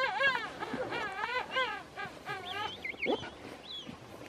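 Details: King penguins at a king penguin park on Bahía Inútil, Tierra del Fuego, Chile, give loud, trumpeting calls built of wavering, buzzy syllables that rise and fall.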